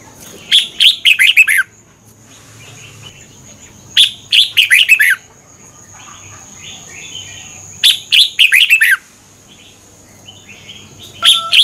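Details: Song of a Red-whiskered bulbul from Thailand, used to train or excite caged birds: quick phrases of several sharp, descending whistles, each lasting about a second, returning roughly every four seconds over a thin constant high hum.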